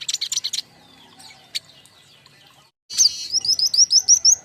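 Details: Lure and master sound from a group of king konin fledglings: an opening chatter of high chirps, a lull, then a steady series of bright arched whistles, roughly seven in quick succession.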